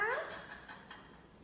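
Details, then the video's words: An eclectus parrot speaks the Chinese phrase 老板娘 in a quick, voice-like phrase with a falling, nasal tone in the first moment, then fades into quiet room sound. "Eclectus Parrot Bobby saying 老板娘"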